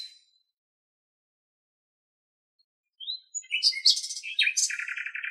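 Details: Common nightingale singing in Greek nature: after a long silence a thin whistle, then a burst of varied chirps ending in a rapid series of repeated notes, clean background.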